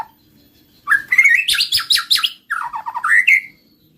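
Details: White-rumped shama singing a lively phrase: a rising whistle, a rapid buzzy rattle, then a quick descending trill and a final upward-sliding whistle.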